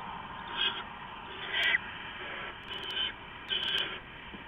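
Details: Before dawn on 15 November 2015 an adult owl brings rats to owlets; spaced, rasping hissy screeches, some with a thin whistled edge, and a few sharp clicks.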